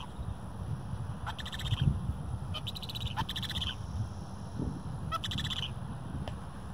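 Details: Several Sandhill Cranes, adults and juveniles, gather and jump around in a park, giving three bursts of rolling, rattling calls a second or two apart over a steady low rumble of wind or distant traffic.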